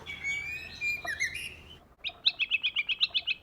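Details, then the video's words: White-rumped shama singing in the forest-voice style as a lure, with male and female birds: a long sliding whistle over a noisy background, then a rapid rhythmic series of about ten repeated chirped notes. "Choè lửa hót giọng rừng."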